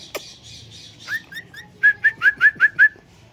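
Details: Indian green ringneck parakeet giving a series of six loud, short, slurred whistled chirps at a steady pace, preceded by softer buzzy notes.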